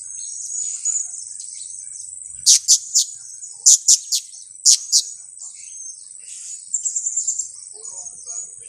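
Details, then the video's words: Blue-crowned hanging parrot call of the kiak type, used as a lure for trapping: sharp, very high, clipped notes in quick clusters of two to three, then a softer rapid twitter near the end, over a steady high whine. "koleksi pelapis KIAK²"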